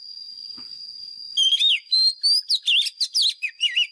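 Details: White-rumped shama singing a fighting song used as a decoy to train caged birds: after a quiet start, a fast run of rich whistled phrases, rising and falling notes and sweeping slurs, over a steady high-pitched background tone.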